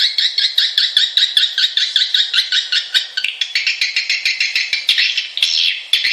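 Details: Swiftlet lure and roosting-call sound used to attract swiftlets: a dense, high, buzzy chatter of rapid repeated chirps, several each second, with no other sounds.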